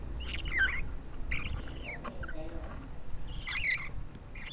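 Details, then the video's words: Two-week-old baby budgerigar, a hand-raised pet parakeet, giving scratchy, buzzy squawks in short bursts, some with rising and falling raspy notes, spaced irregularly over a few seconds with quiet gaps and faint background noise. "Sounds baby parakeets make"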